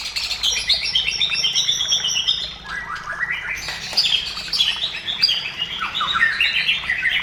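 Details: White-rumped shama singing in a lively, varied stream of high whistled phrases and rapid chattering notes, with sweeping slurs and trills running almost without pause.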